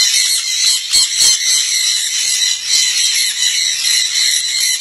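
A sun conure gives shrill, grating screeches, high and harsh, running almost without a break.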